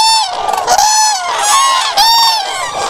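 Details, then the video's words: Loud bugling calls of common cranes: several clear, ringing trumpet notes, each held about half a second and slightly arched in pitch, following one another with other cranes calling faintly behind. "Common Crane musical chords"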